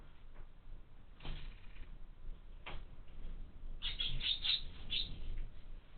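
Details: Chicks of the house sparrow in a window-mounted feeder: a few scattered thin chirps, then a quick cluster of high, bright, squeaky notes near the end, against low rumbling background noise.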